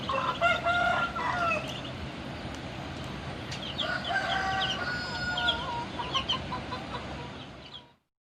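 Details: Shamo fighting rooster crowing: a short, harsh, harmonic crow at the start, then a longer drawn-out crow over about three seconds, with faint high bird chirps behind and an abrupt stop.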